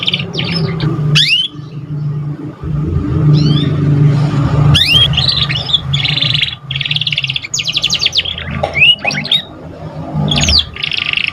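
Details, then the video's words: Young canary still learning its song, mixing sharp falling whistles, rapid buzzy trills and fast chirp runs in long varied phrases, with a low engine-like hum behind. "Pancingan kenari paud baru belajar bunyi cocok buat rangsangan"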